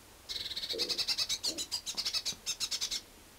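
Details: Blue tit calling noisily at a winter drinking and feeding station in Budapest-Csillebérc, Hungary, on 1 January 2011: a rapid, dry, churring chatter of high buzzy notes, about three seconds long, with a couple of faint lower notes beneath.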